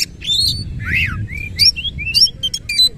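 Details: Oriental magpie-robin with spread tail singing rough fill-in phrases: a scratchy buzz, then a string of short rising whistles and bright high notes closing in grating chips, low hum beneath.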